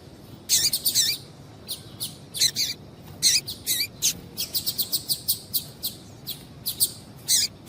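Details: Female double-collared seedeater giving stimulating calls for the male. Dense, lively high chirps and short note bursts repeat almost continuously, in quick runs with brief gaps between them.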